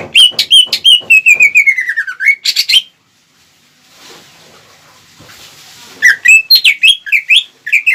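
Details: Greater green leafbird singing to stir the anger of rival birds. Rapid whistled notes fall in pitch, then a quiet gap with faint hiss. The bird resumes with bright, varied slurred phrases.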